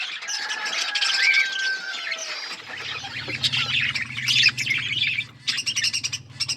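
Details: Budgies eating seeds in an outdoor forest aviary, their high chirping and warbling chatter over a steady low mechanical hum that starts partway through.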